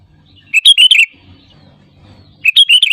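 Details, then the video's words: Sooty-headed bulbul lure song to trigger other birds: two short bubbly phrases of four or five quick bright notes, separated by a low murmur of background noise. "SUARA ASLI BURUNG KUTILANG GACOR RAJA PIKAT UNTUK PANCINGAN AGAR BUNYI GACOR SEKETIKA"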